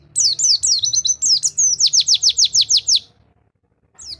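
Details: Training song for silent white-eyes: rapid high chirps, then a steady series of about ten downslurred whistled notes, ending in a pause before a new note.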